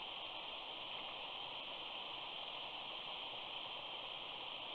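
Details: A constant rushing hiss, like wind or running water, fills the recording with no animal calls.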